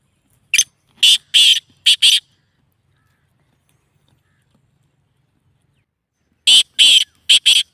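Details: Black francolin call used to get francolins to respond and start calling: a harsh phrase of four to five sharp, buzzy, high notes, then several seconds of silence before the phrase starts again.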